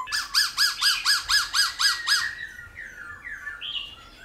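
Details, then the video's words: Black-throated laughingthrush in 'giọng già rừng' old-forest style, played to rouse wild-caught birds into singing: nine loud arched whistled notes repeated about twice a second, then softer rambling warbled phrases. "Khướu Hót giọng GIÀ RỪNG - GIỌNG HAY - NHIỀU GIỌNG kích khướu bổi. luyện khướu bổi hót căng lửa"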